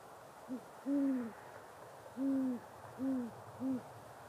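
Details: Great horned owl hooting in courtship, a male calling to attract a mate in late fall or early winter; deep, soft, resonant hoots, a short lead note then three longer hoots over about three seconds, against steady background hiss.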